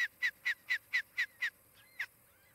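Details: Osprey at a nest near Charlo, Montana, on a nest camera on 23 July 2018, mid-morning: a run of seven sharp, downslurred whistled chirps about four per second, then two softer, thinner notes trailing off.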